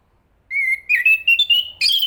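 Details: Thrush song opening with a steady whistle, then a quick series of slurred notes that step upward, ending in a louder, rougher note. Background is quiet.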